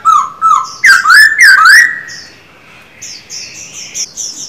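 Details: Caged silver-eared laughingthrush singing during daily voice training: clear whistled notes that slide up and down, followed by rich harmonic phrases and a run of softer high chirps toward the end.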